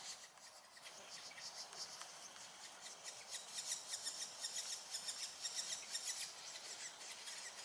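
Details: Pair of near-fledgling Banded Woodpecker chicks inside a nest cavity in Singapore, overcast morning, waiting for parental feeding; faint at first, then high, scratchy pulsed calls grow louder and repeat about twice each second.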